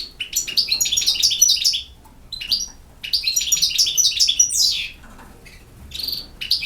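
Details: Goldfinch song of the campero type: two rapid runs of sparkling, jangling twitters with clear whistled notes and a rasping downward slur, then a short pause and scattered tinkling notes.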